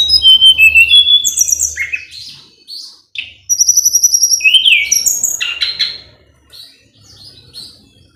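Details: Tledekan gunung in full-power song meant to stir a rival to respond. A rapid, varied run of piercing high whistles, trills and down-slurred notes, a short gap, then another dense burst that fades into quieter twitters.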